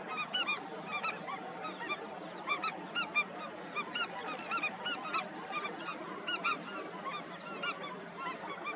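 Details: Chorus from an Indian skimmer colony: a continuous scatter of short, ringing nasal yaps from numerous birds, loud groups every second or so over a constant noisy background.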